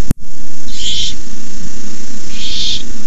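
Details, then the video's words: Owlets of barn owl at a nest at night, an adult arriving with a rabbit; two broad noisy hisses roughly one and a half seconds apart, a brief click at the start, constant low background hum. "Owlets hiss."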